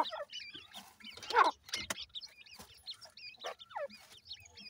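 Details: Grey francolin (teetar) chicks fighting with their mother after feeding: a busy stream of short, high, rising and falling chirps from several chicks, with soft scuffling and rustling between calls.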